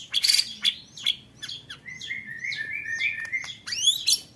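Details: Training song of a white-rumped shama for contest birds, 'roll tembak' style: sharp high chips open into a long level whistled trill, closing with quick upward-sweeping notes.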